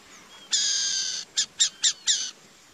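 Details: One long, broad, scratchy hiss from a burrowing owl, then four short rasping bursts in quick even succession, standing out clearly over a quiet background.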